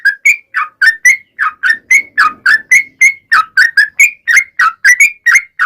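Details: Sooty-headed bulbul, a lively singer played as a lure so other bulbuls respond. A steady series of crisp, short whistles rises and drops in pitch at a quick pace, with no other sounds.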